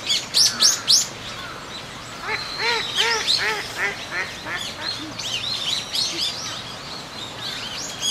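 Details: Eurasian teal at a pond in Kōkū Park, recorded 19 January 2023 with extra park ambience mixed in; loud high chirps open, followed by a series of short nasal quacks and scattered whistles.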